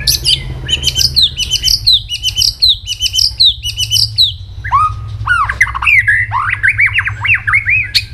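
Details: White-rumped shama morning song as voice training: repeated ringing two-part notes in a steady series, followed by deep swooping whistles and wavering higher phrases, with a low hum underneath.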